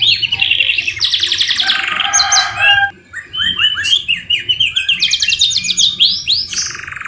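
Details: Canary singing a tutor song full of white-rumped shama (murai batu) phrases: a dense high buzzing trill over a lower whistled tone, a short pause, then quick repeated rising notes and another rapid rattling trill.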